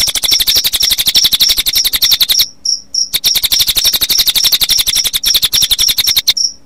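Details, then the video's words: Playback mix of cililin birdsong and cricket sound, intended for other birds in the late afternoon toward evening; continuous rapid ticking trill overlaid with high whistled notes, with two short breaks marked by lone high chips. "kombinasi suara burung cililin dengan suara jangkrik"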